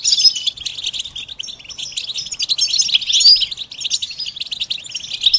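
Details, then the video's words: European goldfinch stimulating twitter, bitbita and sitsita mating and readiness calls to wake a silent male's song: fluttering, high, tinkling chatter with clear slurred whistles rising out of it. "بتبتة فعالة و ستستة فتاكة رهيبة في علاج صمت الحسون"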